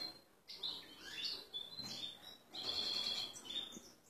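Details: European goldfinch male, excited and ready to pair with a female canary, giving short bursts of high twittering and sweet whistled notes separated by brief pauses, quieter and more broken than full song.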